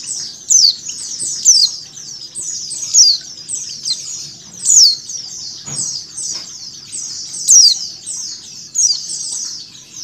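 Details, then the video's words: A female mountain white-eye calls over the massed chatter of a white-eye flock, a mix intended to make birds open their beaks. High, thin, downslurred chips repeat about every second or two above a constant, crowded twittering. "PLECI BETINA ngecal + suara pleci ombyokan"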